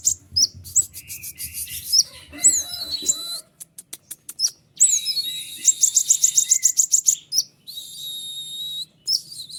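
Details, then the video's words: ['Dense, tightly packed White-winged triller song meant as a master recording to spur other trillers to answer. Very high chirps, slurred whistles and fast trilled runs pour out almost continuously, broken by brief silences.'] "konin sayap putih unik full nembak rapat tajam suara jelas paling bagus untuk masteran kolibri ninja"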